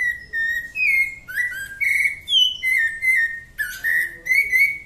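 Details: Rufous-bellied thrush singing its "Santa Fé" song: rich, fluting whistled phrases, each slurring up or down, repeated about every half second in a flowing, varied song.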